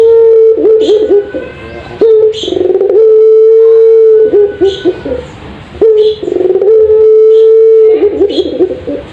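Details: Caged puter pelung dove, or Barbary dove, in a master recording meant for training caged doves: long, steady, even-pitched coos held for seconds, broken by short wavering, bubbling phrases, repeating across the recording.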